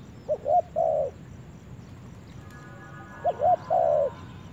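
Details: Spotted dove in the forest for the first time, giving two identical phrases three seconds apart: two quick rising coos followed by a longer drawn-out coo.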